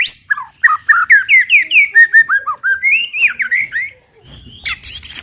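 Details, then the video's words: White-rumped shama 'tembakan' song meant to stir other shamas to sing: a fast run of bright whistled, slurred notes with rising and falling sweeps, then a pause and a brief noisy, high-pitched burst at the end. "TEMBAKAN MURAI BATU PEMANCING EMOSI AMPUH BIKIN AMPUH BIKIN MURAI CEPAT BUNYI"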